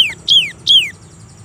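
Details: Cinereous tit (gelatik batu) singing in a lively, chatty way. Two clear whistled notes slide steeply downward from high to mid pitch, about 0.4 seconds apart, after a brief opening note. The background is quiet.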